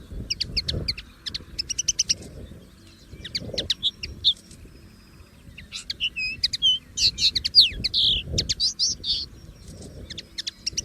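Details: Wild common linnet singing a rapid, varied sequence of crisp chirps, trills and twangy whistled notes, quickening into a dense twittering burst in the second half; faint low rumble.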